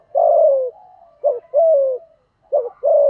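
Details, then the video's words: Caged spotted dove lure bird in the 'giọng thổ' voice style, giving 'thúc gù' coos to provoke wild doves. Three deep phrases, each a short wavering note then a longer falling coo, with faint soft humming between. "cu gáy giọng thổ THÚC GÙ, chim cu gáy kích bổi"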